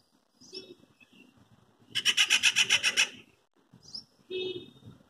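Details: Treepie calling on a quiet afternoon while moving from branch to branch, giving its loud metallic call: one harsh, rapid rattle of about eleven pulses lasting a second, with brief thin whistled notes before and after.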